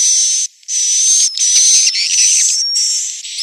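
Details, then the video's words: Roosting swiftlet sound from Central Sulawesi: loud, harsh, high buzzes in long bursts separated by brief gaps, each carrying a thin steady whistle-like tone, with scratchy fluttering in the middle. "Suara asli, inap walet"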